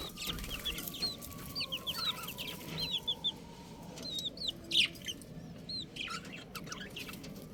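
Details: Young chickens giving thin, high, downward-sliding peeps in loose clusters, several birds calling at once over a low steady hum and soft background noise.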